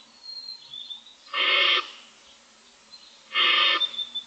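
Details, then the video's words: Barn Owl owlets, six in a camera-watched nest box on a morning of day 25, looking for food. Two broad, rasping snore-like hisses come about two seconds apart, with faint thin whistles in between. "Barn Owls : 6 owlets looking for food"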